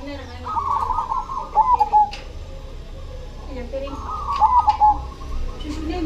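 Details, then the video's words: Steadily singing cemani zebra dove. Two trilling coo phrases, each ending in sharp clipped notes, come a few seconds apart over a low background hum and faint clicks. "SUARA PERKUTUT CEMANI GACOR"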